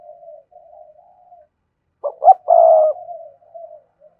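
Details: Spotted dove cooing as a lure for untamed doves: faint low murmuring, then two short clipped coos leading into a sustained, slightly falling coo that trails off softly.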